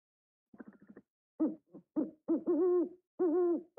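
An owl gives a quick stutter of soft notes, then a run of fuller hoots, several drawn out for half a second, all mid-pitched and slightly wavering.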